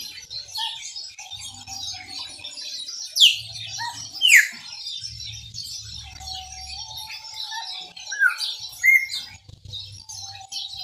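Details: Chopi blackbird singing in the Maranhãozinho style: a few loud, sharp whistled notes sweeping steeply downward, two close together early on and another pair near the end, over a steady low hum and faint background chirping.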